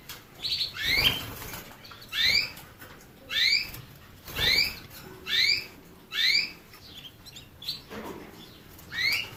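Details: Canary producing a regular run of bright rising chirps, one about every second, each note sweeping upward, over a soft background hiss.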